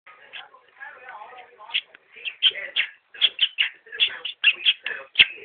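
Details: A pet budgerigar, talking to its owner's blue topaz ring, chatters in rapid, squeaky mimicked speech punctuated by sharp kissing clicks as it blows kisses.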